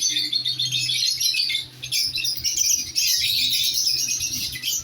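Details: Newly placed lovebird pair chattering continuously in shrill, scratchy high chirps, with one short lull midway and a steady low hum underneath.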